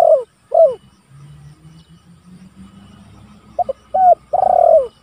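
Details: Spotted dove calling rivals, a recording used as a lure and training sound: loud, hoarse cooing notes, two at the start and then a cluster of three or four after a pause of about three seconds, over faint low rumble.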